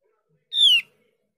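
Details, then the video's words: A single short nasal note of a Javan grey-throated white-eye, dropping in pitch at the end, used as a lure to get untrained or stalled birds to reply; silent surroundings. "Dengan pancingan opior jawa ini opior jawa bahan atau opior jawa macet pasti nyaut"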